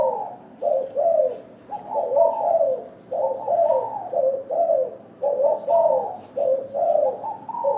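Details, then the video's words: Caged zebra dove in a hanging cage, calling often: low rolling coos in quick bursts with wavering, slightly rising and falling notes, repeated steadily through the recording, with faint background hiss. "Terkukur MP3 sangkar layang Rajin bunyi"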